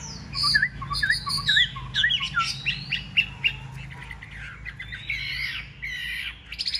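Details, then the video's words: Large-bodied caged Chinese hwamei singing in a fighting display: loud varied phrases of rising and falling whistles and sharp chirps, with a low hum underneath. "Bộ to đấu xòe hót rất tốt, giộng rất hay"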